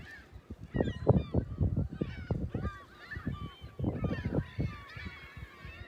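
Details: Seagulls at South Beach in South Haven, looking out at the lighthouse and pier, on the morning of Sunday, March 21, 2021: several overlapping harsh, arching cries from more than one bird over heavy rushing surf.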